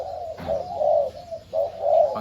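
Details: A dove, one of four decoy doves being readied for training, gives soft, low, rounded coos in two phrases, each swelling and fading over about a second, with faint room noise behind.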